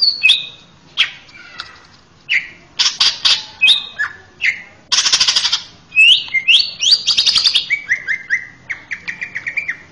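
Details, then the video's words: Varied, loud song from a male greater green leafbird used as a training master for young birds, mixing sliding whistles, harsh buzzy bursts and rapid trills, closing with a series of quick repeated notes. "SUARA MERDU MASTERAN CUCAK IJO JANTAN!!!"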